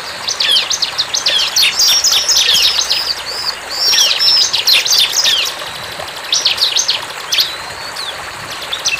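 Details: Bar-winged prinia in the wild with quick, shrill chirping phrases and thin whistles. A near-silent gap falls in the middle, then short chirp bursts and a rising whistle follow.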